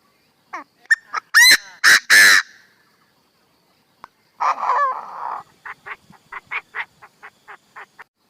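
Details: Decoy Chinese francolin calling to lure others: three loud, harsh, strident notes, then a pause and a grating burst followed by a string of quick clipped clucks speeding along.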